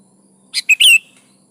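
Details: Short gacor phrase from a sooty-headed bulbul (kutilang), used to prompt other caged birds to sing: a rough note followed by two bright liquid whistles, the last sliding downward.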